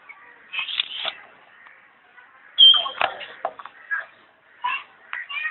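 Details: Common hill myna at Alipore Zoo, Kolkata, India, giving a rapid series of harsh, gurgling bursts broken by one clear, sharp whistle, in irregular clusters over several seconds, sounding almost like speech.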